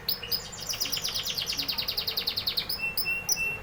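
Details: Canary singing a fast, even trill of high repeated notes at about eight per second, slowly dropping in pitch, followed by a few scattered thin whistles.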